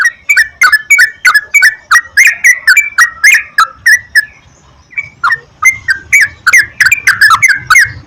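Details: Sooty-headed bulbul song meant to spur singing: long steady stream of quick, liquid chirping notes, about three per second, with a brief gap near the middle, over a faint low rumble.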